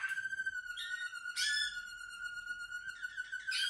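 A Malinois Waterslager canary holds a steady, low, flute-like whistle nearly nonstop, broken by brief bubbling, watery flourishes every second or so.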